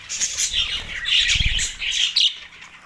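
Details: Budgerigars going wild with mating behaviour in Larkana, Sindh, March 9, 2024; harsh high squawks and chirps overlap, with a soft low thumping, like fluttering, midway through.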